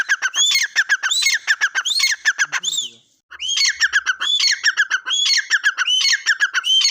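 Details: Loud, continuous partridge calling, known locally as teetar boli: rhythmic harsh notes mixed with rising whistled slurs, running in two long bouts separated by a brief pause.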